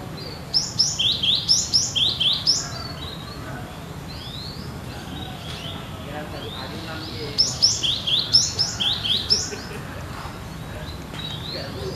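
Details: Cinereous tit, called gelatik batu locally, singing as in the wild: two separate bouts of quick falling two-note whistles, each lasting about two seconds, divided by several seconds of quiet background.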